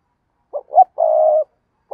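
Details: Decoy spotted dove calling to draw in wild doves: two short clipped notes, then a long, steady, low coo lasting about half a second, with a new note starting at the very end.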